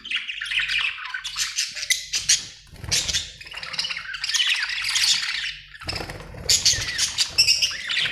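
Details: Budgerigar chirping described as happy: rough squawks mixed with quick twittering and warbled phrases, loud overlapping bursts with brief pauses, low background rumble.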